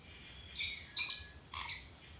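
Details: Three rough squawks from a red lory in quick succession, each harsh and shrill, about half a second apart.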